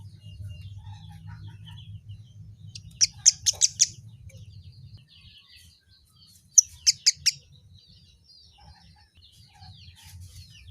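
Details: Kemade bird, described as replying instantly to any sound; two short clusters of four or five sharp, high chips a few seconds apart, with faint softer twitters and a low hum in the background.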